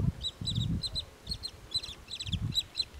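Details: Pied kingfisher, while diving and fishing, gives sharp, high chittering notes in quick clusters of two to four, repeated through the clip over a low wind rumble.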